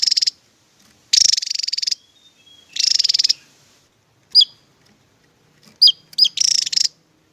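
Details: Javan tesia delivering its 'tembakan' song bursts: very high, buzzy, rapidly pulsed trills lasting under a second, separated by pauses, with a few thin sharp chip notes in between. The background is otherwise quiet.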